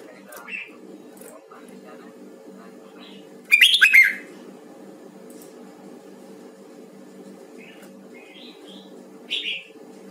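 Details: Voice training of a Huë-type red-whiskered bulbul: mostly quiet with a low hum, broken by one loud, short burst of chirpy whistled notes mid-way and a few faint soft chips before and after.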